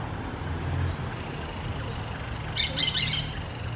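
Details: Green orange-chinned parakeets let out a brief burst of harsh, high chattering squawks near the end, over a steady low rumble in the background.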